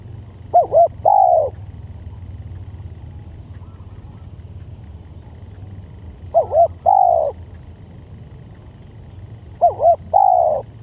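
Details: Spotted dove calling for use as a lure, three phrases spaced about four seconds apart, each two short curved coos then a drawn-out mellow coo, with low background rumble.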